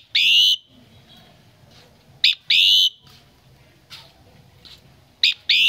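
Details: Common myna, Tet 2018 home visit, producing three loud harsh rasping bursts separated by roughly two-second gaps, with faint clicks in between.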